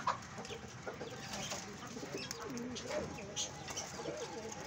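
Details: Fancy pigeons, possibly fighting, giving low, rolling coos and throaty grunts, overlapping in a busy flock with scuffling and fluttering noises throughout.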